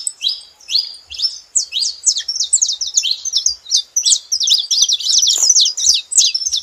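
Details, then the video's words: Saffron finches together, pouring out a fast, tangled run of high chirps and slurred twitters, growing denser toward the end, about three notes a second; a few faint low taps. "Canário da terra junto fazendo barulho"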